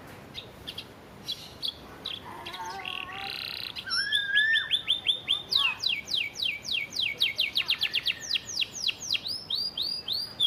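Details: Sparrow-filled canary, master recording for song training: scattered soft notes and a buzzy burst, then loud rapid series of high down-slurred notes building into a fast, rhythmic rattling song.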